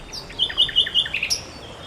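Common Nightingale singing a quick run of about six sweet, high notes repeated rapidly, ending on a sharper, higher chip; no other sounds stand out.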